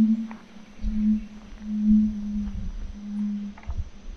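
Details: Two male red-ruffed fruitcrows displaying at a courtship lek in the Yabotí Biosphere rainforest of Misiones, Argentina: a steady series of very deep, resonant booming hums, each about half a second long, repeated roughly once a second.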